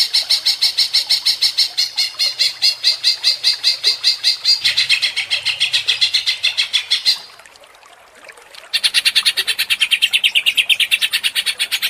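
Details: Agitated 'ngentrok' singing of a greater green leafbird, used as a lure: long runs of rapid, clipped, high notes, a brief near-silent pause of about a second and a half in the middle, then the bright chattering stream resumes.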